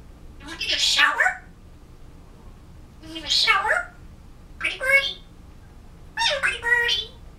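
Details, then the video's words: A pet African grey parrot practicing words, November 2011: four separate speech-like phrases spaced about two seconds apart, raspy and slightly rising, with quiet gaps between them indoors. "African Grey Parrot - Talking"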